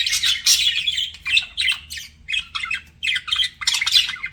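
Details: Flirting pet budgerigars give separated bursts of buzzy chirps and squawky chatter, each lasting a fraction of a second with brief gaps, louder bursts near the start and end.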